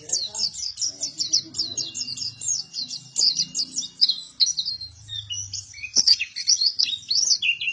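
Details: Actively singing buktoni-type white-eye pours out fast, high-pitched chirping phrases in rhythmic bursts, then looser twitters and whistled slurs toward the end, over soft low background rumbling and faint voices.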